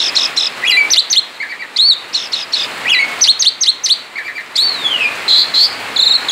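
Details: Male Asian pied starling singing actively outside its cage, ngerol style: dense sharp chirps and whistled upslurs in clusters, one long falling whistle near the end, then short flat notes.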